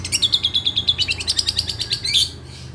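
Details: Long-tailed shrike from Situbondo singing: a fast run of sharp, high chattering notes, about ten per second, ending in a louder squeaky flourish, then a faint trailing note.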